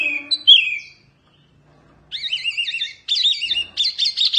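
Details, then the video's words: Oriental white-eye of the wambi mini type in fierce song for tutoring songbirds: a high chirp, a second of silence, then wavering warbled trills in bursts separated by brief pauses. "Kicauan OK wambi mini GANAS"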